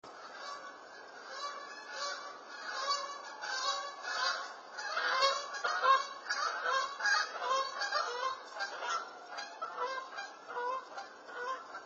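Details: Canada geese flying low over a house at night, 11:54 pm on 13 February 2020, heard but unseen; a flock's nasal honks overlap in a continuous ragged chorus, growing louder mid-pass before easing off.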